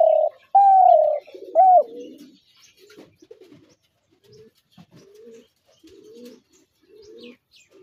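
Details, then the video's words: Spotted dove: a loud long coo that falls slightly, then a short rising-falling note, followed by quieter scattered soft coos from farther birds. "তিলা ঘুঘুর আরজিনাল ডাক ২০২৩/gugu pakir dak"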